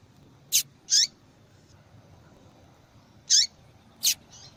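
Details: Female yellow-bellied seedeater calling insistently to draw attention; four crisp, very high, short chirps in two loose pairs, the second note of each pair slightly longer, quiet background.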